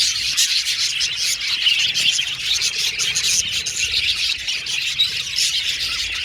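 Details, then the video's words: Chirping and singing from pet Australian budgies: a continuous jumble of high, rapid twitters and brief whistles from several birds at once. "Australian Budgies Birds Singing & Chirping Sound"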